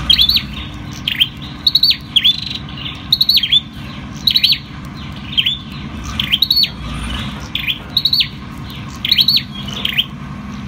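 Ashy tailorbird singing loud, sharp, high chipping notes in quick pairs and triplets, repeated roughly every second over a low steady hum.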